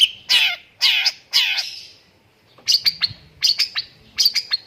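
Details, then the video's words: Long-tailed shrike song with lovebird phrases mixed in: three harsh, buzzy notes with falling harmonics, a pause, then sharp high chips and squeaky notes in quick clusters. "BURUNG CENDET ISIAN LOVEBIRD - MASTERAN BURUNG CENDET TEMBAKAN"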